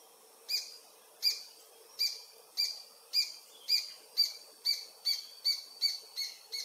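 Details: Adult paradise jacamar (Galbula dea dea), sex undetermined, singing near the Comte (Oyak) river, French Guiana, at 11:00 on 8 November 2023, filmed with a Panasonic FZ300. Its song is a series of thirteen high, sharp notes that grow closer together, from about one every 0.75 seconds to one every 0.35 seconds.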